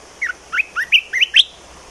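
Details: Six clear, slurred whistled notes from a bulbul, each rising then dipping, evenly spaced and ending on the highest note, with quiet surroundings.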